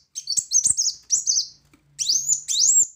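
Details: Loud 'tembakan' shooting song of a Brown-throated sunbird: bursts of shrill, slurred high notes, then two long upward-sweeping squeaky whistles, with a faint low hum behind.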